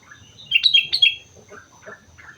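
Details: Sooty-headed bulbul from Mount Slamet singing energetically: a quick burst of loud, liquid whistled notes, then softer scattered chirps, over a faint steady high tone.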